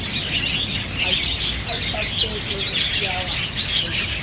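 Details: At Niaosong Wetland Park on 4 November 2015, black bulbuls compete for banyan figs; a busy layer of high twittering runs throughout, with soft lower whistled notes faintly heard midway.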